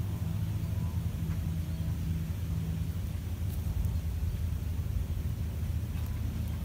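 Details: Steady low engine-like rumble with a droning hum, no animal voices.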